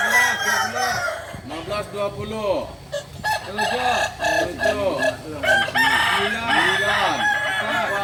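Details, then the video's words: Kukuak Balenggek chicken, a singing chicken native to Solok, amid several fowl: repeated arched, bouncing crow syllables and clucks overlap throughout, rising and falling in bursts every second or so, with occasional voices. "Ayam kukuak balenggek ayam penyanyi asli solok"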